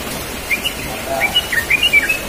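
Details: Yellow-vented bulbul singing in the morning, a run of short bright whistled notes, some slurred up and down, in a quick uneven series.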